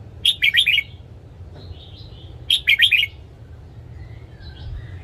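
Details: Caged red-whiskered bulbul's morning song: two short bright phrases of four or five quick warbled notes, about two seconds apart, with soft faint whistles between against a quiet background.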